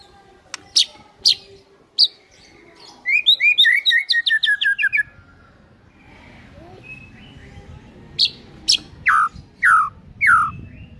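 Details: White-rumped shama singing a morning lure song meant to set other birds singing, full of borrowed filler notes: sharp high whistled strokes, then a rapid buzzy chattering run, pausing, then descending slurred whistles.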